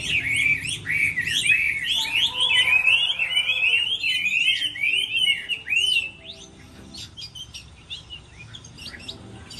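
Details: Dueling song of a Chinese hwamei in moult season: dense, fast-warbling whistles rising and falling for six seconds, then fading to scattered sharp chirps.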